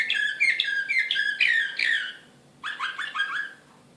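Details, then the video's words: Serbian slavujar-style canary, excited, Belgrade 2016, pouring out loud looping whistled phrases, then after a short gap a run of about six quick downward chirps. "كناري هائج"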